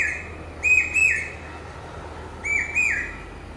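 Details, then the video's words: Common hawk-cuckoo calling pi-peeah: two shrill, piercing whistled phrases, each a rising note followed by a falling slur, separated by a pause of under two seconds. "Common Hawk-Cuckoo calling...pi-peeah...pi-peeah...pi-peeah... (പേക്കുയിൽ കിഴക്കേ വാ....)"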